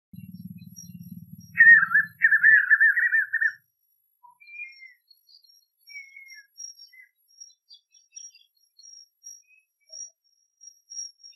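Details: Spot-backed puffbird singing in the caatinga. After a low rumble of handling or wind noise comes a two-second run of wavering, trilled whistles at mid pitch. Soft scattered faint notes follow.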